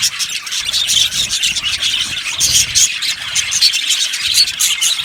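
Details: Many yellow budgies in a colony aviary, chirping constantly with thin, whistled squeaks standing out over a scratchy, bubbling background chatter.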